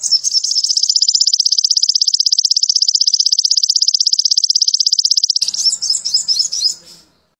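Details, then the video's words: Sogon trotol sunbird on a training recording for caged birds, played to raise their excitement: a long, loud, very high buzzy trill of rapid even pulses lasting over five seconds, breaking into jumbled twittering before fading out. "MASTERAN SOGON TROTOL MUDAH DI TIRU‼️AWAS EMOSI DAN BIRAHI NAIK‼️"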